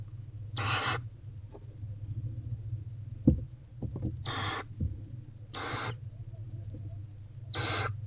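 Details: Hungry barn owlet eating a rodent in a nest box, 29 February 2024, around 1 pm: four breathy, rasping hisses spaced about two seconds apart over a steady low hum, with scattered taps and scratches.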